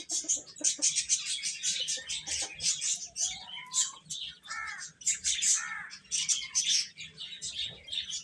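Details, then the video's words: Baby chickens feeding with steady shrill chirping, rapid high peeps packed together, plus a few lower curved notes in the middle. "Cute Chicks Chirping Sounds | Little Baby Chicken Eating"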